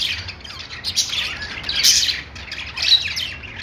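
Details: Pet-store budgerigars twitter and squawk, with scratchy warbling rising to a loud peak near the middle and another near the end, a faint low hum behind.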